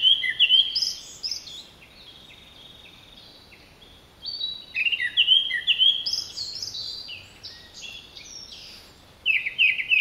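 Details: A Japanese thrush sings from overhead in the mountains of Nagano, Japan, on 16 July 2011: three bright, varied phrases of clear whistles and quick trills, each lasting one to three seconds, with short quiet pauses between.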